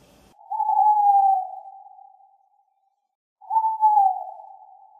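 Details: Tawny owl (Strix aluco) giving two drawn-out, slightly falling hoots, each lasting about one and a half seconds, separated by a gap of roughly two seconds of silence.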